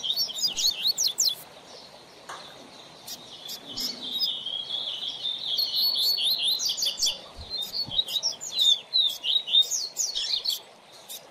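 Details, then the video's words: Caged rusty-collared seedeater (coleiro) in a song-training setup for a young bird: rapid, varied high-pitched twittering phrases with slurred whistles and sharp chips, fairly continuous, over faint background hiss. "Coleiro Professor Aprendizado"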